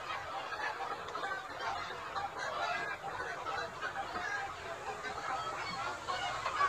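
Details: Chickens of the Gà Nòi, Gà Tre and crossbred kinds range freely in a broad yard by day, foraging for insects and greens. A continuous clamour of clucks and honk-like squawks swells and fades.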